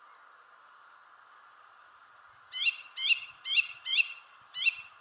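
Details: In a shrubbery tree a thrush repeats one sharp, ringing note five times at even half-second spacing after a quiet pause, with a constant low hum beneath.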